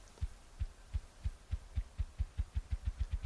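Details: Ruffed Grouse drumming in Alberta, the beating sound of its wings: deep, muffled thumps that speed up from about one every third of a second into a rapid roll, with nothing else heard.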